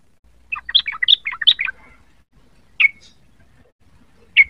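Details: Young sooty-headed bulbul learning its song: a quick bubbly phrase of about a dozen rich notes, followed by two isolated sharp chirps spaced over a second apart.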